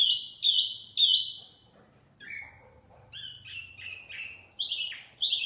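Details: Lure song of a wambi mini: three sharp high whistled notes opening, a pause, then lower descending chirps and a jumble of quick high twittering phrases.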